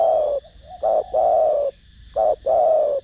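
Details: Spotted dove giving thổ đồng-voice coos to draw in other doves: two phrases, each a brief note then a long, rich, level-to-falling coo, clear and close.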